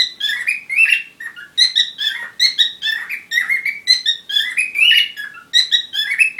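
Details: Courting parrot chattering, a run of rasping, warbled notes and rising whistles in quick, irregular succession.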